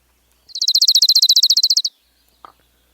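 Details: Orange-crowned warbler (Leiothlypis celata) song: a high, even trill of about eighteen quick notes lasting just over a second, followed by a faint soft click.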